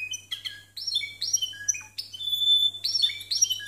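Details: Discontinuous song of a Timbrado canary scored 92 and 93 points: varied ringing metallic notes, quick trills and a sustained pure whistle, separated by short breaks, over a faint hum.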